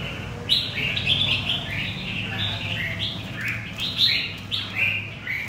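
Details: Red-whiskered bulbul, a newly caught wild bird from central Vietnam, sings a quick run of mellow, rising and falling whistled notes, several per second in loose phrases, with a constant low hum underneath.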